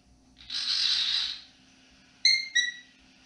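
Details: Pet male cockatiel indoors in the evening: a broad hissing rush of sound, then two short bright whistled notes with clear overtones near the end.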